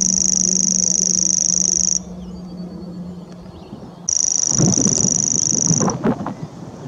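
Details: Common grasshopper warbler reeling at Middleton on 21 April 2016, hidden among nettles and brambles: a high, dry, unbroken insect-like trill held for about two seconds, a pause, then a second reel, over low rumbling background noise.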